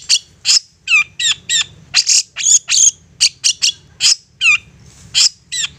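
A long-tailed shrike sings a fast, insistent string of harsh, scratchy notes mixed with high whistled sweeps, about two or three notes a second, over a faint low hum.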